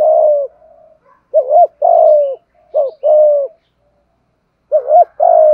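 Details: Thúc gù coo of a Malaysian spotted dove. A long soft coo trails off, then rounded low phrases follow: a brief rising-falling note and a sustained, gently descending coo. A gap precedes a final double note and coo.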